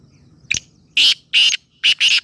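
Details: Black francolin calling near Khushab. A short click comes first, then four harsh, grating, buzzy notes. The notes come in two pairs over about two seconds against a quiet background.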